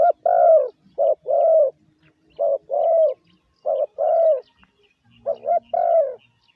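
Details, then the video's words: Lure call of a spotted dove, used to stir up decoy birds: soft hollow coos alternating short and drawn-out, the longer notes sagging in pitch, in steady paired phrases with a faint low hum between. "Tiếng chim gáy gù gọi mồi cực chuẩn"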